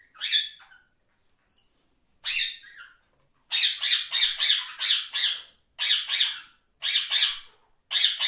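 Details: Several parrots calling, harsh broadband squawks in bursts, some rapid runs of five or six close notes, with a brief thin whistle between them.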